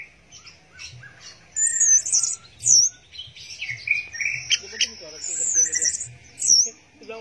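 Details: Orange-headed thrush giving teler song, a jumble of high thin whistles, buzzy phrases and lower warbled notes in irregular bursts.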